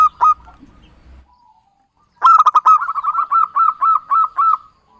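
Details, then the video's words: Lure call of a local Javanese zebra dove, used for trapping. A brief note and a low rumble come first, then a steady two-and-a-half-second run of quick repeated coos, each note evenly spaced. "SUARA BURUNG PIKAT PERKUTUT LOKAL JAWA"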